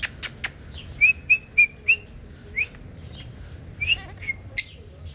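A parakeet gives a run of short, clear whistled notes at a steady middle pitch, about four in quick succession, followed by a few chirps and sharp clicks.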